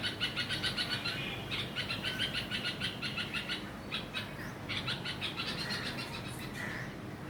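A red-vented bulbul gives harsh, rapid scolding notes, about three a second, in broken bursts, mobbing a lizard near its young.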